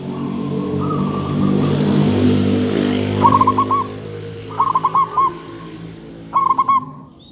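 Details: Local zebra dove used as a lure so other zebra doves answer: three quick bursts of rippling, stuttered coos in the second half, over a loud rumbling, vehicle-like background noise.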